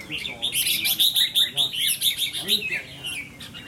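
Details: Red-whiskered bulbul under a temperament test, delivering a dense, rhythmic series of loud chirping whistles in quick succession, with faint human voices underneath.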